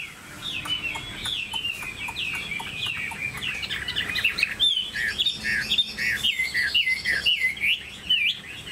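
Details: A caged, tame Chinese hwamei delivers a continuous stream of rich, rapidly modulated whistles and trills that rise and fall. Sharp clicking noises from the cage or surroundings punctuate the song.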